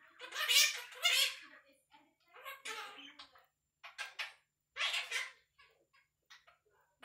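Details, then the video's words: One-year-old male pet Quaker (monk) parakeet chattering indoors in bursts of high, raspy, speech-like syllables with short pauses, like a small voice talking quickly; he loves to chatter and talk. Monk parakeet. "Little Parrot Talking"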